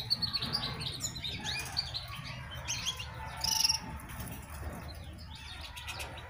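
A European goldfinch gives quick, bright, tinkling twitters in a rapid, jumbled stream, with a brief rustling burst midway and a low background hum.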